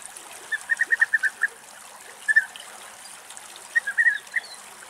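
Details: A male and female pair of European bee-eaters in a tree in Greek nature, calling with liquid, rolling 'prruit' notes in quick bursts of six or seven, then shorter groups, over a soft background hiss.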